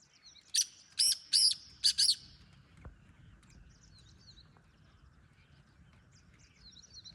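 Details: Black francolin giving one harsh, grating phrase of five rasping notes in quick succession, the third and fourth stretched longest, followed by faint chirps of other small birds in a quiet rural background.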